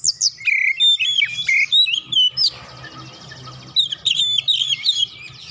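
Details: Oriental magpie-robin song played as a lure for other birds, rich whistled notes and quick slurred sweeps in tight clusters, with a brief buzzy noisy stretch in the middle and faint low hum.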